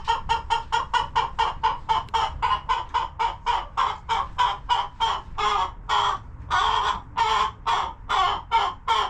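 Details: Homestead chickens in their coop; a long run of quick, clipped clucks at about four per second, slowing into longer, drawn-out squawking notes near the end, with a faint low hum behind.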